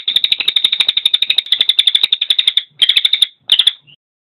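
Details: Cililin song used as a training recording for songbirds: a fast, dense chattering trill of sharp notes, about eight per second, held for over two seconds, then two short bursts and a soft final note.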